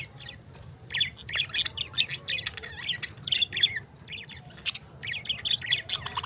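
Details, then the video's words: Steady stream of sharp, high chirps and squawky twitters from lovebirds, coming roughly once a second in irregular clusters over a quiet low hum. "Cute Chirping Sounds | #birds #parrot #lovebirds"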